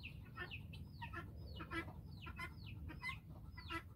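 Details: Farmyard guineafowl following a hen, calling with repeated falling whistles mixed with harsher grating notes, about one to two per second from several birds.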